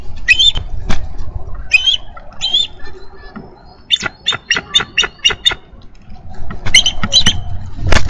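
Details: A bald eagle pair at a Minnesota nest on 3 May 2013, the female calling for relief from incubation. Bursts of high squeaky chirps are followed by a run of sharp, evenly spaced clicking notes, then more chirping, over low rumbling noise.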